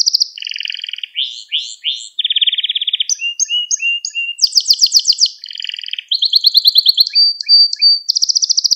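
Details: Canary song used as tutoring for young canaries: a rich string of trills, each phrase a fast series of repeated syllables, jumping between high and lower pitches, with buzzy rolls and a final high rattle.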